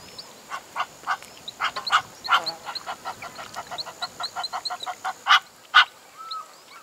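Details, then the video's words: Reed cormorant (Microcarbo africanus) on a farm in Dullstroom, South Africa, giving a run of harsh, raspy, uneven cackling notes, about two per second, over a thin high insect whine and faint chirps. "Reed Cormorant (Microcarbo africanus) Bird Call"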